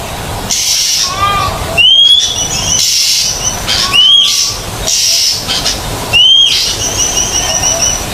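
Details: Oriental magpie-robin on a training recording for birds that have gone quiet: loud upslurred whistles roughly every two seconds, separated by bursts of broad hissing noise.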